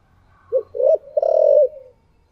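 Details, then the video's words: Spotted dove kept as a decoy, calling in the 'giọng thổ' style: a single three-part phrase, short coo, rising middle note, long rolling final coo that trails off. A low hum runs underneath. "cu gáy giọng thổ đặc Mp3/ Tiếng Chim Cu Mồi Giọng Thổ Đặc Sắc"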